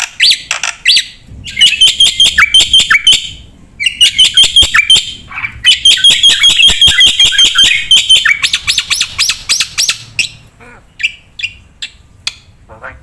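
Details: Jalak putih (Black-winged myna) singing hard with full fill-ins as a tutor and lure. Long runs of rapid, steady high chips come in three bursts separated by short pauses, ending in scattered sharp notes.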